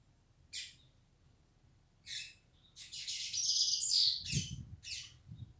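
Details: Yellow-bellied seedeater labelled 'flecha negra': spaced sharp chips, then a dense buzzy, rattling twitter with high whistled notes, against a low room hum and a couple of soft knocks.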